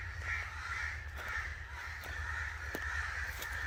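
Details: Rough, repeated caws of an angry crow, several hoarse notes in quick succession, over steady low-frequency noise.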